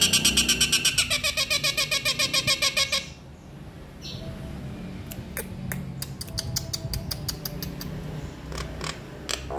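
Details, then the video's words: Nias hill myna giving a fast run of harsh, rasping notes about four per second for three seconds, then a quieter stretch with scattered sharp clicks and faint notes over low background hum. "JALAK NIAS GACOR DOR FULL ISIAN"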